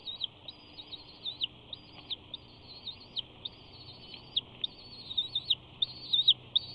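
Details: Close-up bald eagle at the Big Bear nest on 5 June 2019, preening and stretching its neck: a steady series of thin, high chips and short squeals, evenly scattered and slightly louder toward the end.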